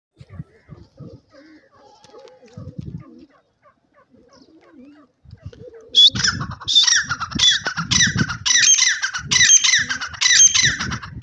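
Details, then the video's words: Indian Dim Francolin (Dakhni Teetar) calling alongside pigeons: soft low cooing and scattered faint notes at first, then loud, harsh, high squawking calls repeated several times a second with cooing underneath until the end. "dakhni teetar ki awaz pigeon birds k sath"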